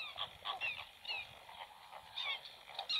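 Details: Black-winged stilt at a nest where two chicks have just hatched and one egg remains, the chicks already feeding on their own; a quick run of nasal, yapping notes, roughly three per second, over a faint background hiss.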